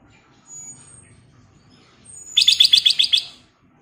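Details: Black-crested bulbul singing a prompting song: a burst of eight rapid, evenly spaced, sharp ringing notes lasting about a second, after thin high whistles and quiet background.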